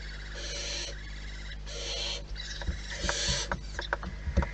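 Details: Barn owls at their nest give several harsh, hissing screeches about half a second long, separated by short gaps and followed by softer scratchy clicks. A steady low hum runs beneath.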